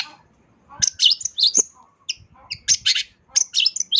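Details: Long-tailed shrike singing vigorously with mimicked fill-ins, used to train other songbirds; scratchy, harsh high bursts and thin whistles in uneven clusters, with some low thumping noise.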